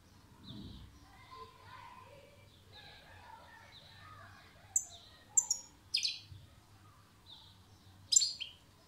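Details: European goldfinch song phrases: a handful of sharp, high, ringing notes in the second half, spaced under a second apart, above a soft background of faint repeated chirping from other birds.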